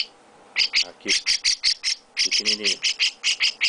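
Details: Chestnut-cheeked starling chick kept by its owner, calling with evenly spaced harsh, scratchy high chirps in a steady run after a short silence, with a person speaking softly underneath.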